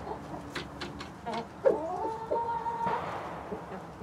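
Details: Chickens from a mixed flock of hens and a Rhode Island Red rooster cluck softly in short, uneven notes, with a few drawn-out tonal calls midway through and a quiet background hum.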